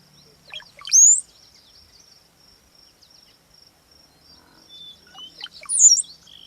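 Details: A Brown-headed Cowbird gives a metallic-sounding call: two liquid, gurgling phrases about five seconds apart, each ending in a thin, metallic, rising whistle, over a faint steady high hiss.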